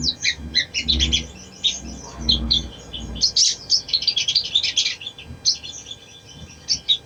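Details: Sunbird known locally as sogon, singing to encourage a lazy bird: busy, high, scratchy twittering notes in quick succession throughout, over a low rumbling background.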